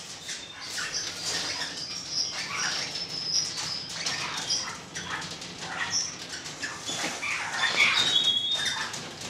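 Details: Golden-mantled rosella from 2013, keeping up rapid, scratchy high chatter with scattered thin whistled notes, the calls growing denser and louder toward the end.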